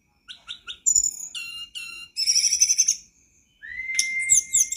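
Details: Tledekan gunung (flycatcher) master song played to get a caged bird singing; a few short notes, then buzzy rapid trills, a pause, and a long rising whistle with chirps.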